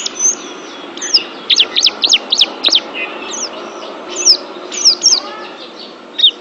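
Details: Oriental white-eye song for training pet birds: scattered high, thin chirps and short slurred whistles in small clusters with gaps between, over a soft steady hiss of background noise.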